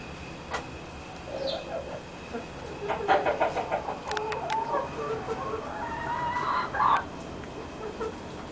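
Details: Barred chicken hen laying eggs, giving scattered short clucks and then a louder, drawn-out harmonic cackle near the end, over steady background hum and some voices.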